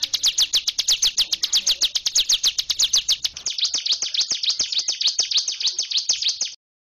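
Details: Hill prinia delivering nonstop drilling song, rendered locally as 'gacor ngebren', with a rapid run of thin, down-slurred high notes that changes pace after three seconds into a denser twittering series, then stops abruptly.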